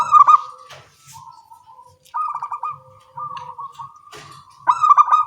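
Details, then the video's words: Local zebra doves duetting in the early morning, phrases alternating: quick-fire pulsed cooing bursts separated by softer, sustained purring notes, the rhythm lively and repeated several times. "Perkutut lokal suara kecil gacor pagi hari bersahutan"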